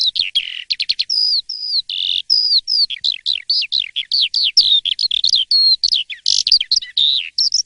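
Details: Morning song of an Asian pied starling, sung steadily and loudly: a quick jumble of rising and falling whistles, sharp clicks and buzzy notes, packed tightly with only brief gaps throughout.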